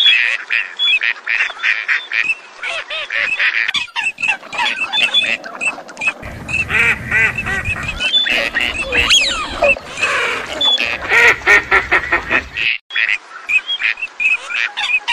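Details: A dense chorus of Gadwall and other ducks: overlapping nasal quacks and short reedy calls, steady and crowded throughout, with a brief lull near the end.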